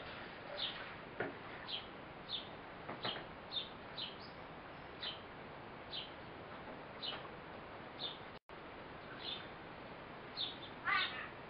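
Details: Female Eurasian blue tit feeding her fledgling: a lively series of short, high chirps every second or so, a brief dropout midway, louder busier calling near the end, against background hiss.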